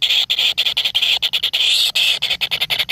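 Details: Nestlings competing over food in the nest: a dense, hissing, raspy begging chorus in rapid bursts, broken by brief gaps several times a second.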